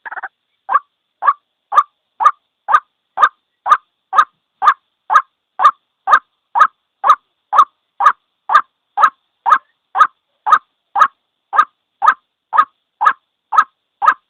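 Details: White-breasted waterhen, a single bird whose call serves as a trapping lure: a brief rough opening burst, then a long monotonous run of about thirty harsh notes repeated twice a second.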